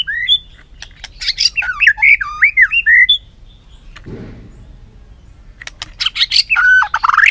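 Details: White-rumped shama singing to train its voice in a fighting-song style: rich whistled phrases that swoop up and down with sharp clicks, a pause near the middle, then a fresh burst ending on a long slurred whistle.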